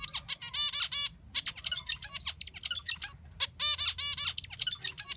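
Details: Zebra finch song, described as peculiar: nasal trumpet-like harmonic syllables mixed with sharp high clicks and chirps in rapid, uneven bursts over a low background rumble.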